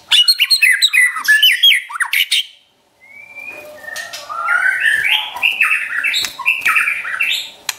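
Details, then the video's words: Song of a white-rumped shama used to train pet birds: a dense, loud run of rapid chattering and whistled notes, a brief pause, then a long flowing series of rising whistles and warbles. "MASTERAN Trotol Murai Juara & Pancingan Ampuh Bikin Cepat Emosi & Tambah Gacor"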